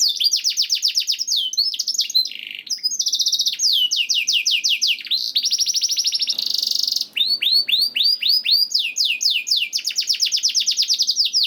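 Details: Canary song for encouraging caged canaries to start singing: long continuous performance of rapid falling whistled notes, buzzy rattles and sustained metallic trills, changing tour every second or two.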